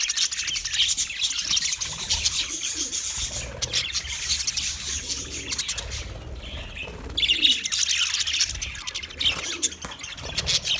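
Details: A flock of budgies chirps nonstop in a busy, high-pitched warble of clicks, squeaks and short trills, with louder bursts near the start and after seven seconds.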